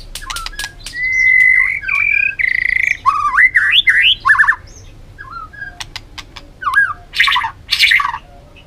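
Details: White-rumped shama in a training recording of varied forest-voice song: long steady whistles, then quick rising and falling slurred notes, short buzzy bursts, and sharp clicks between phrases.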